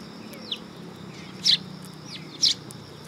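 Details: At a Tenmangu shrine on 3 September 2022, sparrows on a raised platform give two loud, clipped chirps about a second apart, with soft downslurred notes between them.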